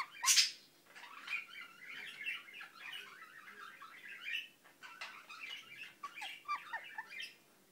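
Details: Indian ringneck parakeet, a pet bird, mumbling: opens with one harsh, loud shriek, then a steady, low-volume babble of soft chirps and murmurs with a few short slurred notes.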